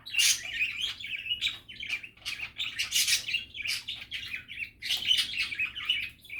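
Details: Continuous budgerigar chatter made of quick scratchy notes, little whistled inflections and sharp chirps, the flock's warbling rising and falling in short waves.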